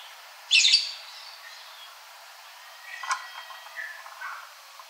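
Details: Ashy drongo singing: a loud, harsh, buzzy burst, then after a pause a loose run of thin whistled notes and short slurred phrases at lower pitch, over a steady background hiss.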